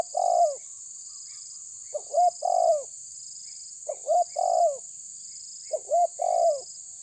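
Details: A spotted dove in the tabir style taunting an opponent: four cooing phrases, each of short clipped notes ending in a longer descending coo, about every two seconds against a constant high drone.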